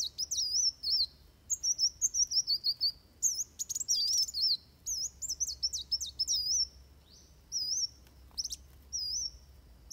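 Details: High rapid chirps and wavy whistled phrases in the fighting song of a Van Hasselt's sunbird, used for training birds, coming in busy clusters that thin into spaced notes toward the end.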